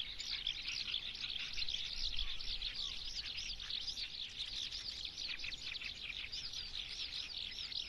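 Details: Eurasian skylark song, a long, fast, unbroken run of high warbling, chirping and trilled notes rising and falling quickly, with faint background noise.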